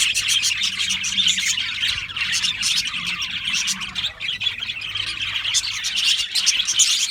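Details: Continuous twittering from a crowd of Australian parrots, high warbled notes tumbling over one another, briefly dipping then swelling again, with a low hum underneath.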